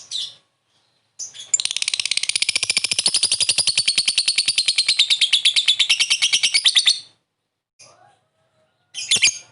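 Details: Lovebird calling with ngekek chatter, used as a lure for a quick response: a brief shrill note, then a long, fast, rattling trill lasting over five seconds, followed by a few separate harsh shrieks.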